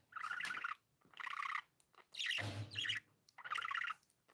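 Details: Happy pet budgies chatter in four rough, buzzy bursts, each under a second long with brief pauses between them, and one burst has a low scraping thud underneath.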